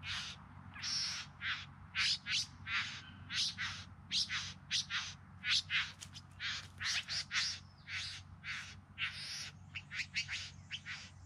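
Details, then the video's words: Courtship display by a bowerbird in the Yarra Valley outside Melbourne, September 2020: long run of hissing, rasping bursts, singly and in quick clusters, about forty-four a minute, with a steady low background drone. "Bowerbirds Singing and Dancing"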